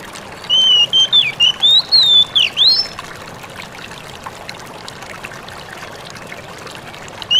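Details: Oriental magpie-robin wild-type song used to prompt other magpie-robins to answer: a quick two-second phrase of clear, high whistles sliding up and down, then silence over steady background hiss.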